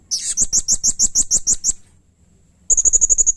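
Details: Blue-crowned hanging parrot (serindit) delivers a string of about ten loud, squeaky high notes at a steady pace, then after a pause a fast thin piping trill.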